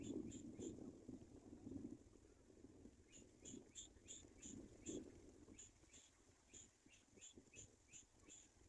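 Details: Black-winged kite chick, a baby bird abandoned by its mother: short, thin high squeaks repeated roughly every half second in an uneven series, over rumbling low handling and wind noise.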